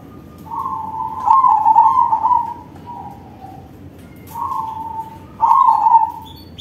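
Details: Manggung song of a crossbred zebra dove with a big voice, played to coax other doves into singing: four rolling, low coo phrases of uneven length, the first drawn out, with short pauses between.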